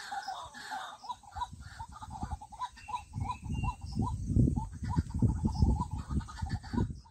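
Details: White-breasted waterhen giving a rapid run of short, even, hoarse notes, about two or three a second, over steady low-pitched background rumble and some scattered higher chatter.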